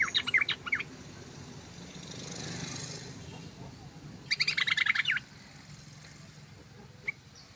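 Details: Yellow-vented bulbul song used as a lure to attract birds: two bursts of bubbly, chattering notes, a short one at the start and a longer one after four seconds, with a soft broad rush between them and a faint late note.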